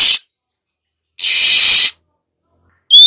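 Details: Female Oriental magpie-robin giving a harsh hissing call, used to stimulate other birds into song: two broad noisy bursts, then the start of a clear rising whistle at the end.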